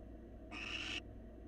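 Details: Wild barn owl in a nest box, male grooming his mate and offering her food; a single half-second harsh hiss with a whistled tonal streak through it, over low hum.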